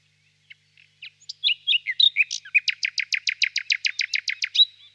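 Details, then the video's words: In a spring birch grove at evening, a nightingale gives a few quiet scattered chips, some sharp slurred notes, then a long fast series of about fourteen identical punchy pulses. "Пение соловья"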